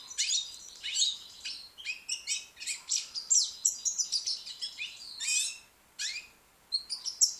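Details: White-plumaged young European goldfinch from Britain in sustained song, a dense stream of tinkling chirps, liquid twitters and buzzy rattles running almost without pause, then a brief silence and a few sharp high notes.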